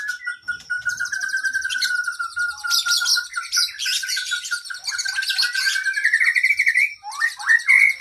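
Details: Oriental magpie-robin (kacer) in long masteran song for cage birds: a steady whistled tone underneath rapid layered buzzy trills and loud chattering bursts, rising at the end into a climbing whistled sweep.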